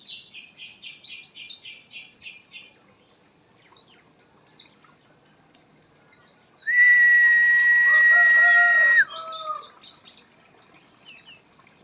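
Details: Oriental white-eye singing after misting: rapid, high, sweet twittering phrases repeated throughout, broken by a loud, steady, whistle-like tone held for about two seconds with lower accompanying notes.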